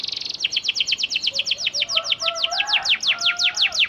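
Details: Panda canary lure song, sung to coax quiet canaries into answering: a steady run of quick downward-sweeping whistled notes, about five per second, with softer lower twitters underneath.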